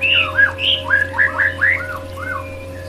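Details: White-rumped shama singing in a therapy recording: a quick sequence of bright arched whistles, each looping up and down, fading slightly at the end, with faint background hum.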